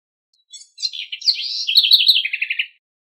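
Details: A house wren sings to instruct its young. A short opening chip leads into a tumbling, bubbly warble, which ends in a string of six rhythmic, slightly lower trilled notes. The phrase lasts about two seconds, with no other sounds.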